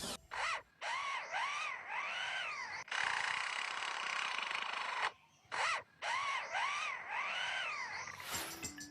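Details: Lyrebird imitating an electric drill, from a bird able to copy almost anything it hears: repeated arching whirring tones in rapid bursts, broken by a stretch of loud applause in the middle, ending with a sharp click.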